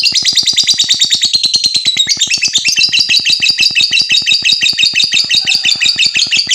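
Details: Lovebird chatter meant to provoke other lovebirds: a loud, continuous, rapidly pulsing shrill trill that dips slightly in pitch partway through, accompanied by an even, fast ticking rhythm.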